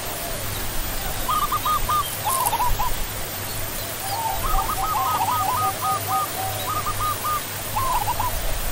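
Zebra dove giving soft, rapid staccato cooing trills around middle pitch, in several bursts, over a steady low hum and background hiss.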